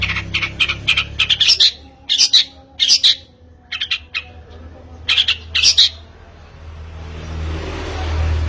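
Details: Long-tailed shrike lure sound for coaxing a bird into song: clusters of harsh, rasping squawks with short gaps between bursts, fading into quiet background hiss near the end.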